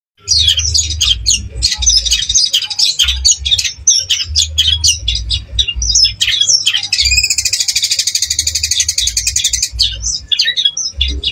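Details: A Long-tailed Shrike in East Java gives a fast, varied burst song of high chattering notes, with a sustained buzzy trill near the end, over a low hum.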